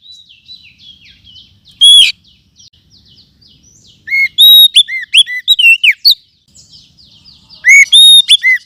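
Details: Oriental magpie-robin of the forest, lure sound for tutoring birds: soft high chirps and one sharp note, then a loud run of swooping whistles, a brief pause and another whistled burst.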